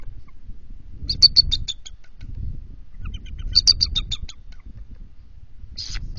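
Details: Incubating bald eagle pair at an NCTC nest, 21 February 2023, around 12:35 am during a switch; two short bouts of fast, high twittering notes a couple of seconds apart, then a brief harsh burst, with nest rustling.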